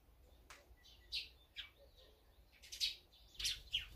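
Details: Feeding wild birds named as azure-winged magpies, sparrows, tits and brown-eared bulbuls utter sharp descending chirps spaced unevenly, a few close pairs near the end, against quiet low background noise.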